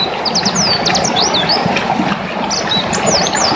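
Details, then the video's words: White-eye (pleci dakun) singing loudly and crisply, offered as a tutor recording for other birds: rapid high, thin, sharply rising and falling chirps in quick bursts over a constant loud broadband hiss. "Peleci dakun gacor ngelas"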